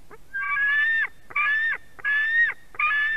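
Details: White-tailed eagle chick at a nest in Durbe, Latvia, screaming for food as a parent delivers a fish, 31 August 2020, 4:50 pm; four drawn-out, harsh harmonic screams, each under a second, steady then dropping at the end, with short pauses between.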